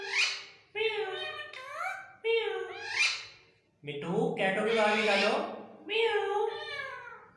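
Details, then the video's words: Talking Indian ringneck parrot kept as a pet, speaking Urdu/Hindi words: a series of short, squeaky, speech-like phrases with falling and rising tones, ending in a longer raspy utterance, indoors. "amazing talking parrot speaking in urdu\hindi"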